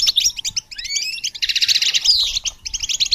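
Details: Lively goldfinch song for training songbirds, bright repeated chirps, two rising whistled slurs, then a dense buzzy trill and more rapid twittering.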